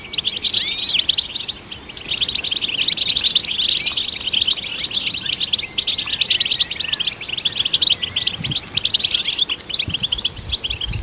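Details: Goldfinch singing, offered as stimulation for other goldfinches: a continuous jangle of high, tinkling twitters and short slurred whistles, fast and busy throughout, with a few soft low knocks near the end.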